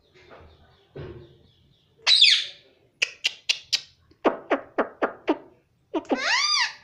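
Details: Pet baby rose-ringed parakeet taught to say mummy: low murmurs, then a harsh rising screech, a quick burst of sharp clicking notes, and a final arched, harmonic whistled phrase.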